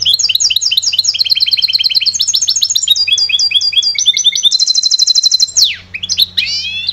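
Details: Song of a trained goldfinch hybrid hatched in 2011: fast, varied phrases of high twittering notes, each repeated in quick series before switching. A shrill trill and a descending slur follow near the end, with a faint low hum behind.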